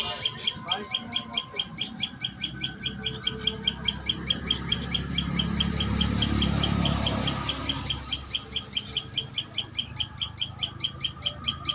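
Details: At a live common tailorbird nest, high clipped notes repeat quickly and evenly, roughly four per second, while a soft broad rushing swell rises and fades in the middle.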